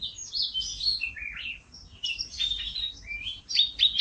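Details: Canary singing energetically: varied warbled phrases, high and bright, with short buzzy and rolling segments that rise and fall. A brief pause in the middle breaks the song into two bursts. No other clear sounds.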